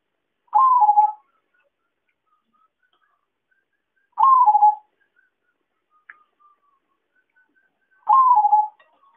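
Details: Zebra dove coo used to lure birds into traps: three wavering, trilled phrases with a short upward start and falling tail, evenly spaced about four seconds apart, with faint ticks between.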